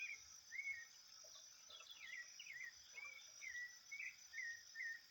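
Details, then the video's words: Thrush singing in natural habitat: varied whistled phrases, some slurred downward and some rising, delivered in quick succession over a steady high-pitched insect drone. "sabiá top demais, cantando muito na natureza"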